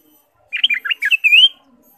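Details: Active ruby-throated bulbul song for stimulating caged birds: a one-second bouncy phrase of rich, liquid notes finishing on a smooth rising whistle.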